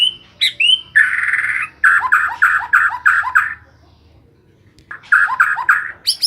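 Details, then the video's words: White-rumped shama singing continuously day and night: a few clear whistles, then a long buzzy note and a fast run of harsh repeated notes, each with a dropping tail, pausing before another burst. "Murai batu siang malam kicau terus"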